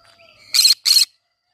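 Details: Green-cheeked conure amid a flower garden uttering two rapid, raspy squawks back to back, preceded by soft whistled notes and a faint high hum.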